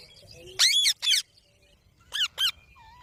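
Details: A pet green parrot (Mitthu) gives two pairs of harsh, high, scratchy squawks with ringing overtones, each burst about a third of a second long, while its owner coaxes it to talk; faint chatter underneath.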